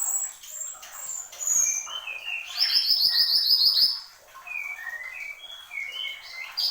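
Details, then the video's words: Horsfield's babbler (mantenan gunung) singing persistently: scattered high whistled slurs, then a bright rapid trill of sharp repeated notes for over a second, followed by further falling and rising whistled phrases. "SUARA BURUNG MANTENAN GUNUNG GACOR"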